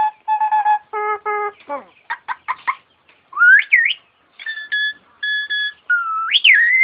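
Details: Performing starling mimicking an ambulance siren: buzzy, horn-like held tones in pairs, short sharp chips, then rising and falling siren-like whistled sweeps that climb steeply at the end.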